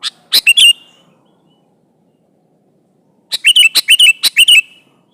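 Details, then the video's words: Sooty-headed bulbul, a prolific singer, calling an opponent: short bright chirpy phrases, a quick burst of three notes, then a pause of over two seconds before a livelier run of five or six slurred whistled notes. "Suara burung kutilang gacor memanggil lawan ini"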